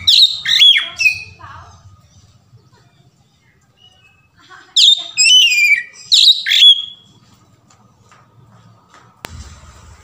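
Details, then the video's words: Oriental magpie-robin song used as a lure to get captive magpie-robins singing: loud bursts of sharp, sweeping whistles and chattery notes, with quiet gaps between phrases and a faint background hum. "KACER GACOR | SUARA KACER NGEPLONG VARIASI | PANCINGAN KACER"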